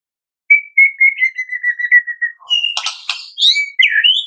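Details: Lure song of a White-rumped shama in crackling kretekan style: a long, level whistled trill with a slight fall, then harsh scratchy bursts and bright, rising whistled notes.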